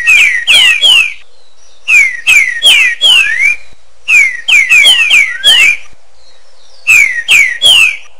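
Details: A green-winged saltator sings loud clear whistled phrases of three to five downslurred notes with an echo trailing each note, the phrases separated by pauses of about a second.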